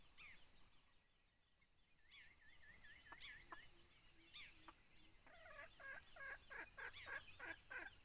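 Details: Wild red junglefowl heard during decoy-bird hunting: after some scattered thin calls, a rough, stuttering crow breaks into rapid pulsed bursts over the last few seconds, with constant background hiss.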